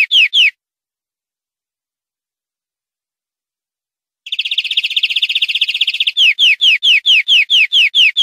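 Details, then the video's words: European greenfinch song from a clean tutor CD for training captive greenfinches, 2020/2021: a short burst of rapid downslurred notes, a long silence, then a fast buzzy trill that gives way to evenly spaced slurred whistles. "Nuevo CD limpio para educar verderones 2020/2021"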